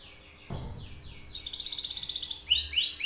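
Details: Belgian canary male singing at a rival male: a few slow high sweeping notes, then a thin buzzy trill building louder, ending in bright clipped chirps, after a short low knock.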